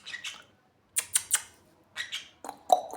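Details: A pet sun conure indoors gives short, scratchy chirps in small clusters of two or three, separated by brief pauses, ending with a lower, more nasal note.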